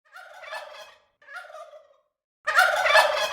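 Turkey gobbling in three rattling bursts, each a rapid, throaty burble. The last is loudest and harshest.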